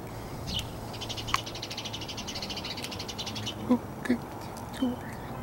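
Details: A crow clicking at the person it communicates with: a rapid, even train of dry clicks lasting about two seconds, then a few soft thumps and faint knocks.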